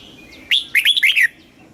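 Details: Thai red-whiskered bulbul song in the southern master-phrase style, played to excite caged birds and tutor chicks: one bright phrase opening with a rising note, then three quick warbled notes.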